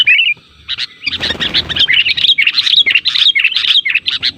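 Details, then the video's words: Sooty-headed bulbul lure calls meant to make other bulbuls reply and sing. A lone chirp, a brief rustling noise, then a dense run of lively, bubbly whistled notes repeated about twice a second. "suara pancingan burung kutilang terampuh, semua jenis kutilang pasti nyaut"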